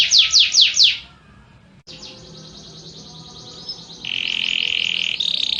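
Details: Canary song from a compilation of canary types: four quick down-slurred whistles, a short break, then a thin rapid rattle and a loud steady buzzy tone at the close.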